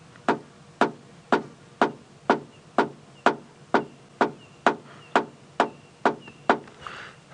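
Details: Red-crested Korhaan on a sunrise safari drive at Djuma Game Reserve, 6:30 AM, 6 December, giving a steady series of sharp, dry clicks, about two per second, the opening of its territorial call; another one calling; faint rustle near end.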